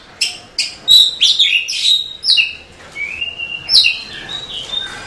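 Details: A female Oriental magpie-robin calls to a male at night with dense chattering chirps followed by long sliding whistles, rising then levelling off, in loud, lively phrases.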